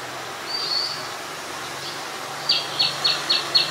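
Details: Oriental magpie-robin, Ubon Ratchathani, Thailand, 17 November 2021: a thin drawn-out whistle, then a quick series of five short sharp notes repeated about every third of a second, with a low background hum.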